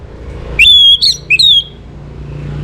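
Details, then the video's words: Orange-headed thrush singing at dawn to bring birds into breeding condition. Three loud, clear, drawn-out whistles, the middle one short and bent, then quiet with a faint low hum. "Naikan Birahi ANIS MERAH pancingan PAGI HARI"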